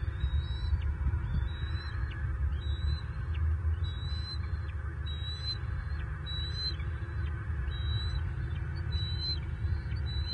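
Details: Bald eagles at a Southwest Florida nest, 17 April 2023, adult male with two young: a steady series of thin, high whistled peeps repeated about every second, over continuous low rumbling wind.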